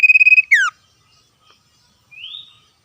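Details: Common iora, wild, singing ngetir and answering other wild birds: a brief rapid trill, then a sharp downward slurred note, a pause, and a soft rising whistle.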